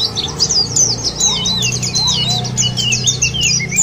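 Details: White-eyes singing as a lure to make birds sing: bright high twitters and slurred notes in quick succession, a few lower whistles, over a steady low hum.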